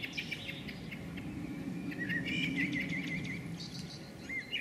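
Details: From a house rooftop, a female blackbird chatters in scolding before leaving: sparse high chirps, then a series of rapid wavering notes repeated several times per second, ending in brief higher chirps, over constant low background rumble.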